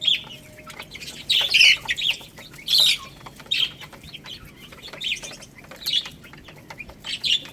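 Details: Young chicks pecking at rice, giving loud, high-pitched peeps in bursts about once a second, each a short slurred note, with quick tapping clicks of beaks on the feed between calls.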